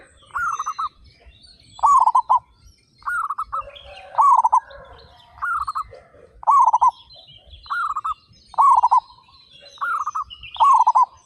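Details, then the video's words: Local zebra doves, one of thirty-five birds, singing vigorously with loud voices: rolling, stuttered mid-pitched coo phrases alternating between a softer and a louder bird about every second, with faint higher chirps from other birds behind. "PERKUTUT LOKAL GACOR SUARA BESAR"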